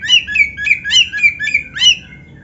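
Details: Oriental magpie-robin (kacer) training song with canary fill-ins: a quick run of about eight bright, chirping notes, each repeated roughly every quarter second, ending in a short rising flourish, with quiet background hiss.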